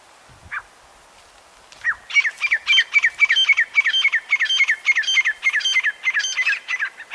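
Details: Grey francolin (teetar) calling: after one brief note and a short pause, a long unbroken sequence of sharp, ringing, evenly repeated notes, roughly three or four per second, carries steadily to the end.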